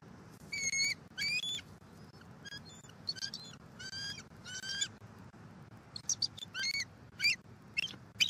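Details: Bald eagle pair at their nest in Southwest Florida during incubation, recorded 12-01-23: a series of thin, high chirping and squeaky notes in short bursts, some rising and falling, over a steady low background rumble.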